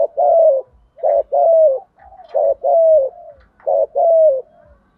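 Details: Spotted dove lure call for training decoy birds: three phrases, each a short double coo followed by a longer coo that bends downward, spaced about every one and a half seconds, with faint low knocking.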